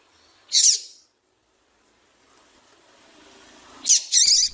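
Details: A female double-collared seedeater gives one bright, buzzy chirp, goes quiet for about three seconds over faint background hiss, then gives a quick double note, calling to rouse males to sing.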